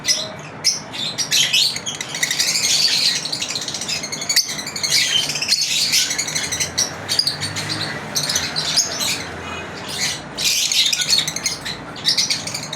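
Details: Pet lovebirds chirping through their daily routine, overlapping shrill tweets and fast chatter from more than one bird, some clicks and a low hum in the background.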